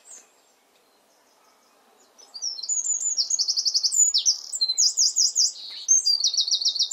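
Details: Garden Eurasian wren near its hidden nest, singing from a favoured perch: after two quiet seconds, a sudden explosive burst of shrill, very high notes, buzzy trills and a rippling rattle, continuing to the end.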